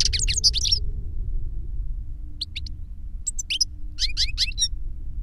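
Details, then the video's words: Older goldfinch singing as a lesson for a younger goldfinch: a fast twittering burst at the start, then spaced clusters of high chirps and warbles, over a constant low rumble with a faint hum. "Older GOLDFINCH SINGING to Teach Younger Goldfinch"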